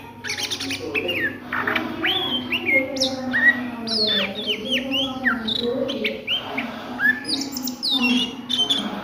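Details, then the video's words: Oriental magpie-robin ngriwik song at midday: a busy stream of whistles, steep downward slurs and chattering bursts, varying from phrase to phrase, with a continuous low hum underneath. "SUARA KACER NGRIWIK DISIANG HARI"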